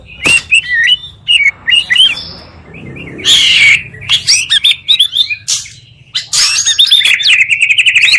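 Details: Combined song of two Oriental magpie-robins used to provoke others; spaced high whistles and chips, a noisy harsh burst midway, then a dense trilling run at the close.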